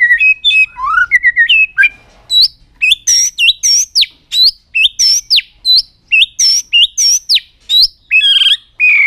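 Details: White-rumped shama delivering a very long song string with tail-flicking attitude to stimulate other birds: a varied start of whistles, then a fast run of high, bright, repeated phrases, each a sharp upward-curving note, almost without pause.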